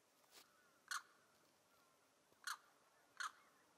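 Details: Neotropic cormorant calls: a faint rasp followed by three louder, harsh, grating croaks at uneven intervals.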